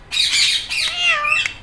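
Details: Indian ringneck parrot, green, imitating a meow: one sustained, nasal, harmonic call lasting over a second, wavering and then sliding downward at the end, meow-like in shape.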